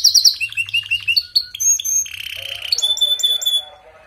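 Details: Canary singing to stimulate a weak bird: quick bright chirps, a clear sustained whistle, a low buzzy roll, then a thin high whistle fading out over a faint hum.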